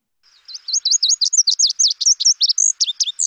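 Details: Lazuli Bunting singing near Lake Tahoe: a quick, bright, roughly three-second jumble of high, slurred notes, paired and varied. The phrase seems to end with a "yuli" sound, though this may not apply to all Lazuli Buntings.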